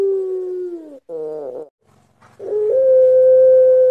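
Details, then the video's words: Long-voiced puter pelung (Barbary dove) cooing as a lure. A descending held coo and a short wavering phrase, then a long, steady, sustained note over a low buzzing hum. "Pancingan ampuh puter pelung suara mantap"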